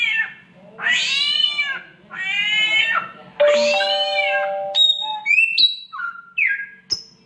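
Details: A samyong mimics a mating cat with three long, wailing meows, the last ending in a steady held tone. Bright whistled notes then follow, stepping up and down in pitch.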